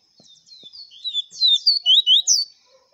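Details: Double-collared seedeater singing the clean 'viviti' song style: high, sweet whistled and slurred notes, building into loud, rapid phrases of bright descending and rising slurs, with a few faint low clicks in the background.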